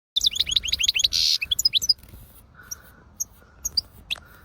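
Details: European goldfinch singing a rapid burst of high, bright twittering notes and a short buzzy rasp, then falling quieter with scattered single chirps over a low hum.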